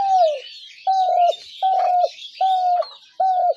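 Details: Spotted dove call for luring doves into traps: five clear, even cooing notes, each flat then dropping at the end, repeated about every 0.8 seconds over faint high bird chatter.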